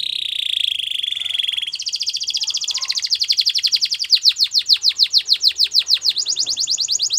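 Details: Canary in the wild singing, used for training young canaries: a sustained buzzy roll shifts to a higher trill, then accelerating loud downward-sweeping notes repeated rapidly, ending in a bright high roll.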